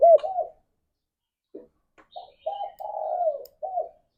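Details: Pet spotted dove cooing softly: a single arched coo, then after a pause a phrase of short notes ending in a long, falling croo, with a final short coo.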